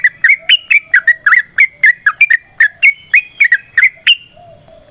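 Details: Sooty-headed bulbul singing a long, rapid fighting song (ropel), used as a lure to make other bulbuls answer: quick bubbly whistled notes, about four per second, rising and falling in pitch, with a brief pause near the end.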